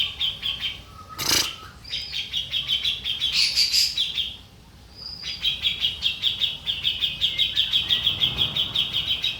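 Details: Grey-cheeked bulbul used as a training master and lure: rapid strings of high, pulsing notes in long runs, broken by a sharp burst, a brief jumbled flurry and a short pause before the steady chatter resumes.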